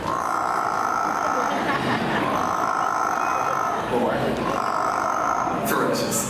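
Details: A female Amazon parrot that grew up as a pet, at Animal Kingdom, Walt Disney World, Florida, on 14 July 2023, gives a harsh, rasping, drawn-out roar imitating a big scary tiger, with a murmuring crowd behind.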